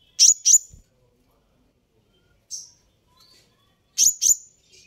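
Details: Sunbird call meant to anger and provoke a reply: a pair of sharp high chirps, a softer single note after a pause, then another quick pair of piercing chirps, clean and quiet between calls.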